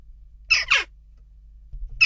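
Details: Western jackdaws at a nest box during ongoing unrest: two harsh, raspy calls follow quickly one after the other, then a third begins at the end, with a low indoor rumble between them.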